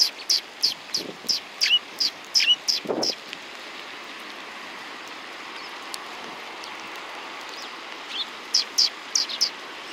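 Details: Sparrows, several birds, give sharp high chirps in a quick irregular series over the first three seconds, then quiet with faint background hum, before a fresh run of short chirps near the end.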